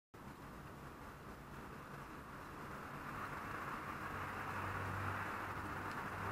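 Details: Steady broadband roar of passing traffic swells gradually louder throughout, with no animal sounds.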